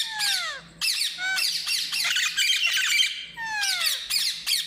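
An Alexandrine parakeet gives harsh, rasping squawks mixed with sliding, downward whistled notes.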